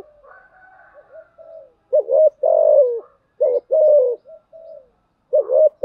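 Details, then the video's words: Spotted dove calling as a lure, thúc gù and gáy gọi styles used to rouse decoy birds: soft murmured coos at first, then loud repeated phrases of clipped notes and longer falling coos. "Tiếng chim cu gáy mồi giọng lôi cuốn hấp dẫn đủ bài[ THÚC GÙ , GÁY GỌI ] dùng kich bổi nhanh nổi"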